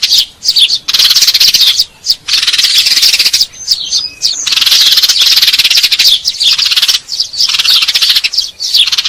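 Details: Eurasian tree sparrow fighting call, used as a lure to attract birds: loud, dense bursts of harsh, high chirps in long runs broken by brief pauses, filling the clip with scratchy chatter.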